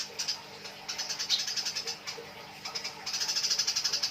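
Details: Fighting Eurasian tree sparrows give quick scratchy chirps in uneven bursts, the final second a dense rattling series of high notes.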